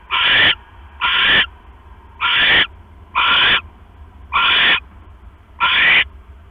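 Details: Owl nest at 11:21 PM on 5 October 2015: the male arrives with a rat and the female, brooding eggs, eats it quickly. Six raspy, breathy screeches of about half a second, repeated roughly every second, steady low hum beneath.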